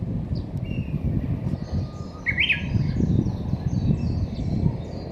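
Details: Outdoors at Hakkeijima among roses, a bird gives a short thin note, then a sharp bright rising chirp midway, followed by faint high twittering notes, all over constant low-pitched background rumble.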